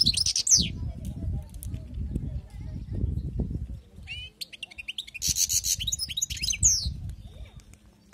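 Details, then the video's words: European goldfinch, a wild-caught bird, giving rapid, bright twittering phrases with sweeping high notes at the start and again midway, while low murmuring and rumbling sounds fill the background. "أسمع وركز على المقنين الخلوي كيف يغرد"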